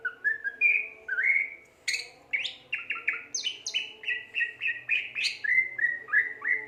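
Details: Greater green leafbird in lively gacor song: a long chain of rapid slurred whistles and chips, evenly paced, with occasional sharper high notes.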